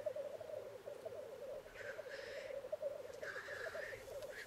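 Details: Black grouse males in courtship display at the lek, fighting to win females: a continuous low bubbling rookoo with two drawn-out harsh hisses, then a brief one near the end.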